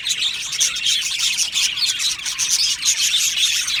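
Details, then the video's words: Flock of happy budgies in an aviary producing a dense, lively twittering with squeaky whistled notes layered over constant chatter. "Happy Budgie birds chirping sounds"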